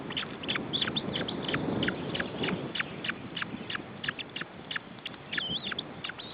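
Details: Nestling ospreys in Estonia, June 2012, during feeding: rapid, uneven strings of high, downward-slurred squeaks, several per second, over soft low scuffling sounds at the nest.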